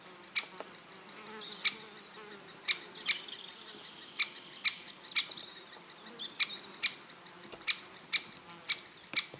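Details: Great spotted woodpecker in Elatia Forest, Greece, uttering a steady series of about a dozen crisp, high, clicking 'kik' notes at uneven intervals, with a soft insect-like hum in the background.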